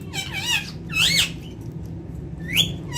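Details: Talking ringneck parakeet, Urdu and Hindi words: three high, harmonic utterances, a warbling phrase, a louder rising-falling one, then a short upward-swept note near the end.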